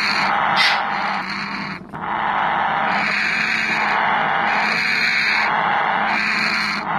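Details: Grey parrot, kept for breeding, giving loud, harsh, continuous squawking calls, rising and falling in long bursts, with a brief pause near the two-second mark.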